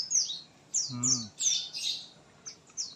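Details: High, sharp chirps and short twittered notes from an oriental white-eye after being misted, in irregular bursts, with one brief lower harmonic sound near the middle.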